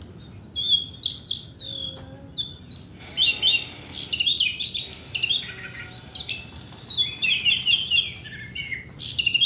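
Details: Busy, continuous song of an orange-headed thrush for luring untrained young males: fast trills and sharp chirps at first, then a stretch of mixed whistles and buzzy notes packed closely together.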